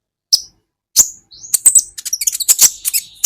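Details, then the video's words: Van Hasselt's sunbird singing on a training recording for caged songbirds. Two isolated high, sharp notes open, then a quick run of squeaky, sliding chirps and twitters climbs into a busy, excited flurry. "Masteran buat KOLIBRI Ninja Bahan Agar BUNYI"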